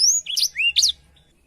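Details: Brief phrase of blackthroat song, recorded as tutor material for canaries: a high thin whistle, then a few quick slurred notes, fading into quiet.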